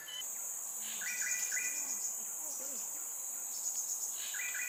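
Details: Crimson Sunbird chick just out of the nest in Singapore, giving location calls to its parents and fed by its mother; a short burst of three chirps, then another cluster near the end, above a droning insect chorus and faint low sounds.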